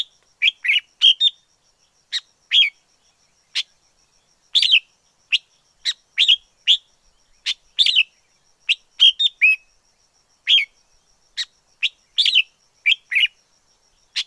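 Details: Long stretch of wild red-whiskered bulbul song from the forest: a steady stream of short, cheerful chirps and paired notes, coming several per second in places, over a quiet backdrop with a thin high-pitched hum.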